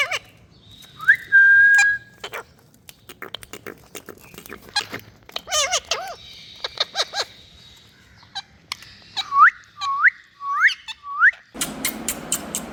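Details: A parrot gives clear whistles, one long rising then level whistle, then scattered clicks and squeaks, and later a row of four short upward-sweeping whistles spaced about half a second apart, ending in a burst of noisy hiss.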